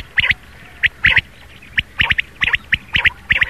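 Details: Rain quail giving its morning call, played to lure birds for hunting; crisp paired clicks repeated roughly every half second over a quiet background.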